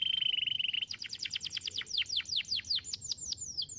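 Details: Canary song used as a training recording to prompt other canaries to respond: a sustained rapid trill near the start, then a fast run of repeated descending whistled notes with clean, clear tone.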